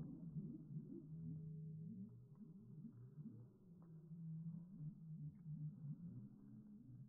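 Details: Slowed-down calls of a flock of heritage turkeys kept on a homestead, giving low, drawn-out wobbling moans like whale song, several voices overlapping, plus a steady low droning hum throughout.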